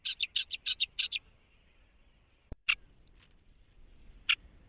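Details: Millerbirds singing while foraging on Laysan Island: a quick run of about seven bright, chattering notes in under a second and a half, then a click and a few scattered single chips after a pause.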